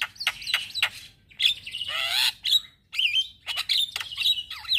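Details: Morning song of a male black-winged starling kept as a lure and tutor for starlings: varied whistled slurs, a harsh raspy burst, then wavering whistles and sharp chips.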